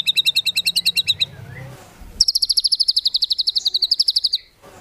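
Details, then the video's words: White-rumped shama 'tembakan' fill phrases for training competition birds: a quick rattling series of bright notes, a faint pause with low hum, then a longer, very rapid high volley. "MASTERAN MURAI BATU FULL ISIAN TEMBAKAN MEWAH UNTUK MURAI BATU LOMBA"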